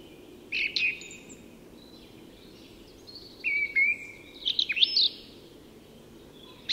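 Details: At dawn in Sweden's Tyresta National Park, a song thrush gives separate phrases: a short burry note, a clear falling whistle, then a cluster of sharp, squeaky high notes.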